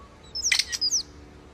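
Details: European starling giving a brief burst of song: a few thin high whistles with a sharp clicking cluster in the middle, over faint low background hum.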